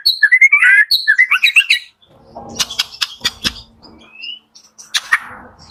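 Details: White-rumped shama song in the morning, played to stir shamas that are slow to sing: rapid rich whistled phrases rising and falling for two seconds, followed by scattered clicks, rattles and one thin rising whistle.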